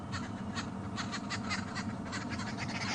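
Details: Babblers on a sunset safari drive in African woodland, 11 December 2015, flying around and calling, giving a harsh, noisy run of repeated churring notes, several birds overlapping, over a low background rumble.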